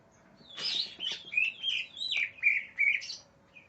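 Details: Agitated greater green leafbird, described as furious and searching for an opponent, pours out a rich run of varied whistles: a harsh burst, then bright slurred notes falling and repeating about three times a second.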